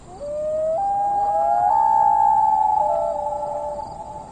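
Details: Common Loon answering its mate with a wail meaning I'm over here; one sustained mournful tone that steps upward and holds, slowly fading at the end, with a faint high hiss behind.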